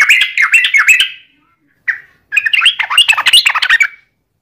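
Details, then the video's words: Lively yellow-vented bulbul singing in the long 'ropel' style used to provoke other bulbuls into song: rapid bubbling warbles, a brief pause and a short chirp, then another fast chattering burst. "trucukan gacor ROPEL PANJANG buat pancingan trucukan agar bunyi"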